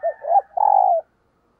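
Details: Morning cooing of a decoy spotted dove calling wild birds: a short loud phrase of two quick coos and a longer rough, sustained coo, then silence.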